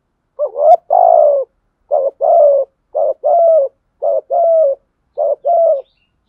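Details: Fighting coo of a spotted dove decoy meant to stir wild doves: five two-note phrases at an even pace, each a clipped low hoot running into a fuller, slightly descending coo; silent surroundings.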